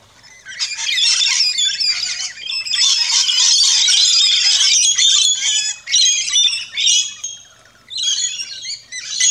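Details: Rainbow lorikeets feeding at a backyard feeding station in Australia fill the air with dense, shrill screeching chatter, overlapping harsh squawks and high chirps running almost without pause, with brief lulls.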